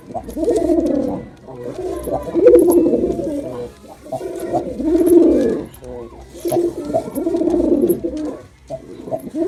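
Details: Male pigeon performing, a steady run of low, rolling coos in bursts of one to two seconds, repeated about five times with brief gaps.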